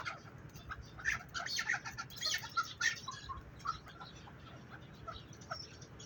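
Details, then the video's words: Partridge chicks calling: clusters of short, high chirps and peeps, busiest in the first three seconds and then thinning out, over a steady low rumbling background. "ЧУЧАХОИ КАБК"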